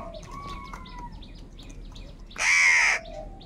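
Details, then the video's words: Single crow in a group fighting for food gives a loud, broad, hoarse caw lasting over half a second, preceded by soft falling whistles and faint chirping of other birds. "Crow bird unity anger and sound for food"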